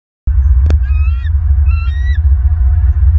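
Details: Bald eagles at a nest in Southwest Florida, filmed by a nest camera on 22 December 2022: two thin, high piping call series, each rising then dropping, heard over a heavy, constant low rumble, with a sharp click near the start.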